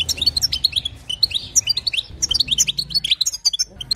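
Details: European goldfinch hen twittering to excite a male, rapid chirps and thin rising notes in quick sequences, a brief lull around two seconds, then renewed lively chatter.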